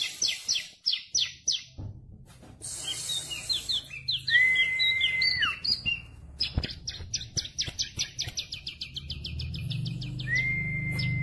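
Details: Tame bar-winged prinia with a rich, varied song: quick downslurred notes, a mix of chirps, a long level whistle, then an accelerating string of crisp repeated notes and a final held whistle, with low hum behind.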